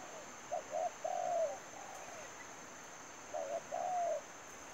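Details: Spotted dove used as a lure in bird trapping, calling twice: clipped soft notes followed by a drawn-out, downslurred coo, the second phrase shorter, over a steady high whine.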